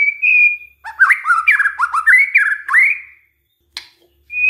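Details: White-rumped shama song used as a lure recording to provoke other shamas into singing: a long steady whistle, then a run of rising, slurred whistled notes, a pause, a sharp click and a fresh whistle starting.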